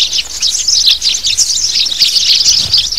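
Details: Adult sparrows, in a lure sound for catching adult birds: a busy jumble of high, scratchy chirps running almost continuously, several voices overlapping.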